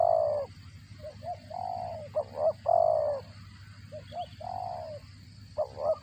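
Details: Feeding its chicks, a spotted dove repeats cricket-like calls. Strong nasal notes, each about half a second, mix with pairs of quick, softer, wavering chips at irregular spacing.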